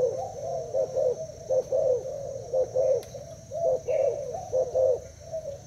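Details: Spotted dove of Thai stock, caged two days, cooing in competition with a decoy bird; low throaty coos in bursts separated by short pauses, with a faint high chirp in the background.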